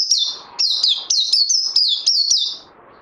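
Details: Caged white-eye in training, recorded 18 May 2020, singing a quick series of bright, high whistled notes, each slurring downward, about eight phrases in under three seconds with soft low chatter beneath.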